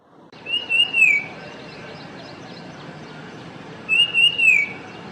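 A Common Iora gives two long, wavering whistled phrases about three seconds apart, rising and falling slightly, over a steady background hiss.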